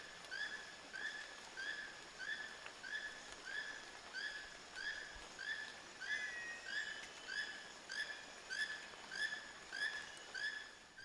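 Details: A Keel-billed Toucan in the Sarapiqui area of Costa Rica, summer 2017, in low light gives dry, croaking notes in a steady series, about one every second or faster. A brief rising whistle from another bird cuts in midway.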